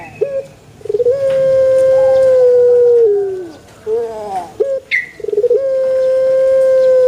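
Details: Long crows of a Pelung chicken: a sustained level note of about two seconds falls away at its end, then a brief break, a wavering descending phrase and a choppy onset lead into another long, steady tone.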